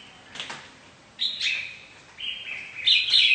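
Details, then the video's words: Competitive song of a mutant red-whiskered bulbul: a short note, then loud, bright whistled phrases in quick succession, growing stronger toward the end. "Chào Mào Đột Biến Hót Đấu Cực Hay"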